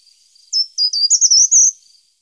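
Short-toed treecreeper giving one brief, very high, thin song phrase of about six quick notes, stepping slightly upward and lasting just over a second.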